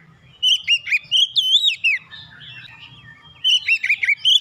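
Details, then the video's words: Provoked magpie-robin giving warbled whistles and chattering notes in two bursts, separated by a quieter gap with faint low background hum. "memancing emosi Kacer langsung panas emosi bongkar isian"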